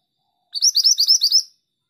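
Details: Female mantenan bird singing actively: a single one-second burst of rapid, high, chirpy twittering notes in quick succession, sharp and bright, then silence; no other sounds.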